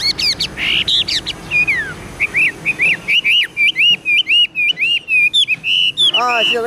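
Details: Tame caged Chinese hwamei in song: rich whistled phrases, a falling slur, then a long series of repeated rising-falling whistles about two per second, ending in a squeaky flourish, with faint background voices and music.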